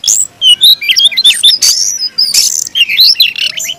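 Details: An aggressive fighting song from a caged Oriental magpie-robin: quick rising and falling whistles mixed with two loud harsh rasping bursts, notes tumbling together rapidly.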